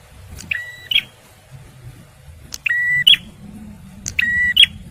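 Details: A male bar-winged prinia, recorded for luring and for prompting stressed birds. Three spaced phrases each begin with a click, hold a ringing tone and end on a sharp, bright note. Steady low background noise is heard.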